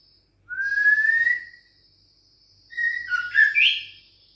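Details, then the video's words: Six-week-old caged white-rumped shama of Bahorok descent responding to a rival: one clean rising whistle, a pause, then a twisting phrase of whistles over a steady high background tone. "Usia 6 Minggu Ditrek Ngelawan💪Trah Murai Bahorok Ori Prestasi"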